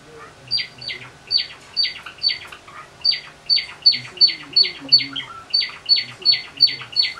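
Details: Java sparrows kept indoors, a white bird together with males let out of their cages on 25 October 2013; bright, high, slightly buzzy chirps repeated steadily about three times a second, with faint low room noise beneath.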